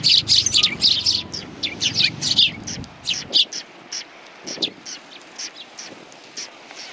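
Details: Many sparrows on a shrine bench at Tenmangu, January 21 2020, chirp loudly and rapidly at first, then the calls thin into spaced single tweets as the low background rumble drops away.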